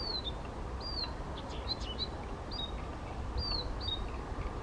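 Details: Male Blyth's reed warbler singing spontaneously without playback, first observed in the Czech Republic, 19 June 2014, at Bukovský pond near Těchařovice; clear whistled notes sliding downward, repeated in short separated pairs over a steady low rumble.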